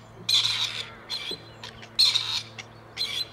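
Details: Two wild male grey partridges, reared for release by a conservation project, call for females at Tullow. Four harsh, grating rasps sound roughly every second, loud and clear.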